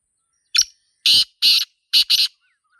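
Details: Black francolin (Sindhi teetar) calling in the wild, in a natural setting: one short sharp note, then four loud, harsh, rasping notes over under two seconds, with the last pair run close together; quiet background.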